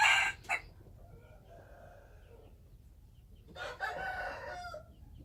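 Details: Wild chicken rooster: a sharp opening burst, a quiet stretch with faint background calls, then a harsh crow of about a second toward the end.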